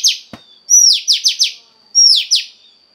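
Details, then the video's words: Caged female Oriental magpie-robin whose voice is used to stir up a male; bright whistled notes dropping in pitch, followed by quick bursts of three to four sharp downward strokes, repeated twice. "Choè than mái kích trống hay nhất"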